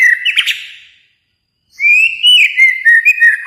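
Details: White-rumped shama from Kalimantan, likely a kept songbird: a loud burst of bright whistled and chirping notes, a second of silence, then a rich varied phrase of sliding whistles.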